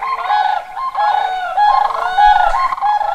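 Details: An introduced Whooping Crane flock calls at evening in late May at Necedah National Wildlife Refuge, Wisconsin, alongside competing Sandhill Cranes. Several loud, overlapping bugled notes repeat almost continuously, forming a ringing chorus.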